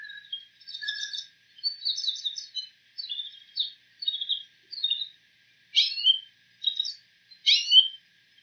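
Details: Bull-headed shrike mimicking other birds' calls: separate bursts of high twittering notes about once a second, ending in sharper descending chirps, with clean quiet between phrases.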